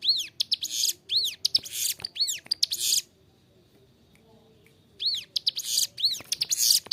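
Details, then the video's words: Ciblek gunung, a prinia kept to tutor other captive birds, gives clear, energetic song: rapid arched whistles and harsh buzzy trills for three seconds, a two-second pause, then the same pattern resumes. "Ciblek gunung gacor suara jernih"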